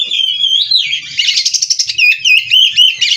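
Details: Oriental magpie-robin (kacer), bred in captivity, singing in 'gacor full isian' style. A long sliding whistle opens into a dense buzzy rattle, then quick looping whistled notes repeat several times per second.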